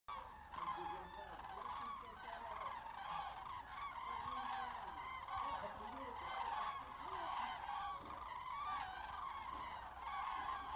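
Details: A flock of cranes flying north, observed Wednesday 20 February at 17:15 local time, late winter. Many overlapping loud, rolling trumpeting calls sound continuously, layered and echoing, with harsh upper tones above the main bugling notes.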